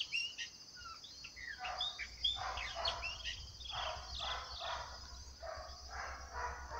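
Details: Song of a chopi blackbird in the cerradão of Cachoeira de Minas, Minas Gerais, Brazil: rapid, varied whistles and short slurred chirps in the first half, then broader noisy bursts with a steady low background hum.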